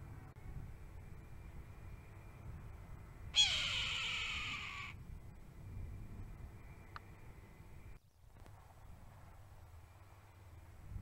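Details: Caught on a trail camera, a Red-tailed Hawk gives one hoarse, raspy shriek lasting about a second and a half, dropping in pitch as it fades, over a steady low hum.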